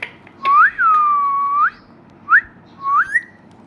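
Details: Indian ringneck parakeet giving clear whistled notes: a rising swoop into a long level whistle, then two short upslurred whistles, in a quiet indoor setting.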